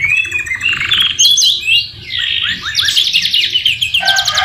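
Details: Canary in full song with white-rumped shama (murai batu) fill-ins: slurred whistles that sweep up and down, dense buzzy rolls and a rapid high rattle, continuous throughout.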